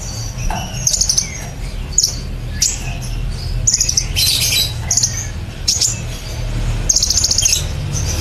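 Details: A sunbird sings 'nembak cililin' for songbird training, giving loud, sharp, high chirp bursts roughly every half second to second, some fused into buzzy trills, above a low droning hum.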